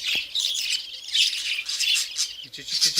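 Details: An orphaned baby budgerigar being hand-fed a special formula by syringe gives a continuous stream of raspy, high, pulsing begging squawks, with a person's voice briefly at the end.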